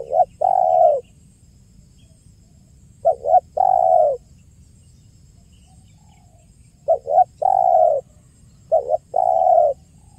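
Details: Repeated spotted dove calling in 'kuk 1' style for trapping lures: four phrases of two short hoots and a long coo, the first pair close together, then a pause and two more in quick succession.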